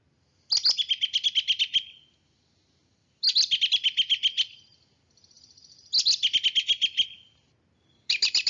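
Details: An American robin gives bursts of rapid, high, chattering notes that tumble slightly downward, each lasting just over a second and repeated about every three seconds. This is a very common call given by both sexes.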